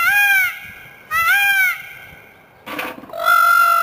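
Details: A kept peacock, recorded on a camcorder, giving two loud nasal honking wails, followed by a short harsh noisy burst and then a steady, higher drawn-out tone.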